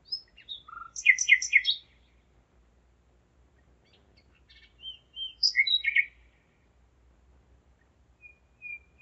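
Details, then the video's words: Nightingale song at 01:55 on the night of 5 May 2017, Zeitz, Germany: separate phrases of rich, repeated sharp notes and quick chirps, broken by pauses, then a soft drawn-out whistle, with nothing else audible. "Gesang der Nachtigall - Song of the nightingale"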